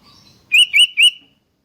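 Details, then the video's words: Sooty-headed bulbul song used to trigger singing in other bulbuls: three loud, liquid, rounded whistles delivered quickly in a single phrase against an almost silent background. "100% RANGSANGAN SUARA ASLI KUTILANG"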